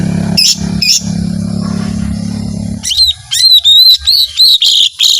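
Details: Steady low mechanical droning at first, with two short chirps, then a lesser green leafbird breaks into long 'tembakan' song: ringing high whistled notes, some rising and some falling, in a quick, uneven series.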